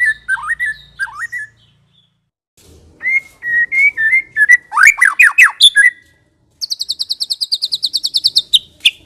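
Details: White-rumped shama of the Medan type, used as a lure song to provoke other shamas. Clear whistled notes give way to rising and falling slurred phrases and sharp chattering strokes, then a fast, high, evenly repeated trill of about sixteen notes.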